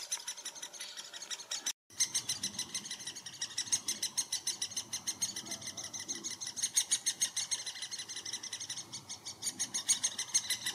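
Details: Great spotted woodpecker at a followed nest in Furuberget, Hamar, Norway, summer 2017: a continuous, high, rasping chatter of quick notes, about three each second, running on without pause.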